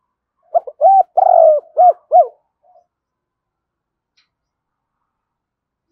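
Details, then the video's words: Cườm Sa spotted dove calling to lure wild doves: a rapid run of hollow notes, two short, one long and wavering, then two more short ones, followed by a faint note and silence. "Chim cu gáy Cườm Sa thúc gù gáy gọi đủ bài. chim cu gáy kích bổi nhanh nổi"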